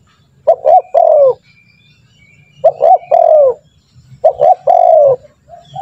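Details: Spotted dove calling as a lure to get trained doves calling quickly: three phrases of two short clipped notes plus a drawn-out descending coo, nearly two seconds apart, with light background hum.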